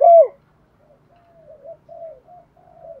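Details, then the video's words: Spotted dove used as a decoy to lure other doves: one loud downward-curving coo followed by a string of faint, soft coos at a similar low pitch in otherwise silent surroundings. "tieng chim cu moi thuc gay goi cu moi gay/ chim cu mồi dùng luyện mồi và bỏi rất hiệu quả"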